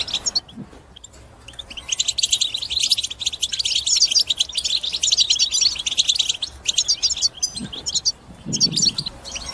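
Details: European goldfinch singing a powerful twittering song to spur other birds into singing; starts quietly, then a long dense run of rapid chirps and trills with short pauses and faint low thumps.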